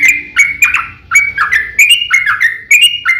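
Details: Fighting song of a yellow-vented bulbul, used to goad other birds into singing, with quick bubbly whistled notes grouped in short phrases, some rising and some falling, delivered rapidly with little pause.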